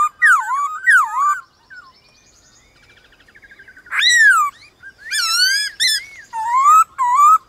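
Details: White-cheeked laughingthrush answering wild laughingthrushes in a morning song duel: bold, swooping, rich whistled phrases separated by a faint, quiet twittering passage, then strong, rising and falling notes.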